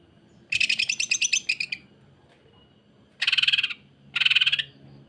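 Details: Greater green leafbird giving harsh, rough bursts meant to teach and provoke other leafbirds. One longer buzzy rattle of about a dozen pulses is followed by two short, dense, scratchy bursts a second apart.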